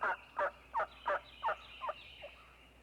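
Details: Wild turkey hen giving six or seven raspy yelps about three per second, fading toward the end, in spring woods as the flock gathers after coming down from the roost.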